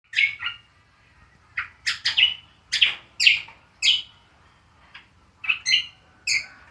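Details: Green magpie (cucak kombo) in ngriwik singing style: sharp, scratchy chirps in short bursts, some doubled, spaced irregularly about half a second to a second apart, with quiet gaps between.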